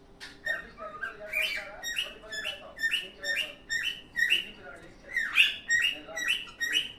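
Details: A Cockatiel happily sings a run of bright whistled and chirpy notes, about two a second, rising and falling in a busy, uneven warble.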